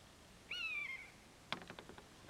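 One drawn-out, mewing call from a common buzzard that slides slightly downward, followed by a sharp knock and a few quick rattling echoes.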